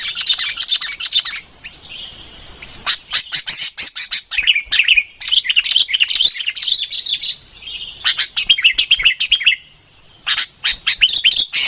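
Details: Singing red-whiskered bulbul delivering long runs of rapid chirps and warbled, slurred phrases, broken by a few short pauses, over a constant faint high-pitched hiss.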